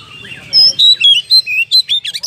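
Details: Oriental magpie-robin in vigorous 'ngeplong' song used as a lure to provoke other birds to fight: a run of about eight loud, clear whistled notes, some rising and others falling, with a faint low hum beneath.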